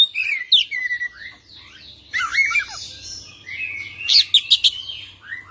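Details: Oriental magpie-robin singing a rolling song rich in imitations: varied whistled phrases, a harsh rattling burst mid-way, then quick sharp piercing notes and a final rising whistle.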